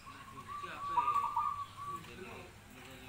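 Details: Zebra dove giving a rolling series of quick, pulsed coo notes that swell in the middle and then fade away, over a soft, noisy background.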